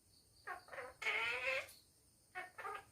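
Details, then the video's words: Talking pet parrot indoors at home: two short syllables, a loud drawn-out, rich, buzzy utterance lasting half a second, then a few more clipped syllables, with a faint electrical hum. "My Kuku Talking at Home"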